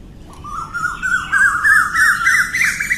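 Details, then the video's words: An Asian koel's morning call: a run of loud whistled notes climbing steadily in pitch and quickening over three seconds, over a low background rumble. "Morning call of cuckoo"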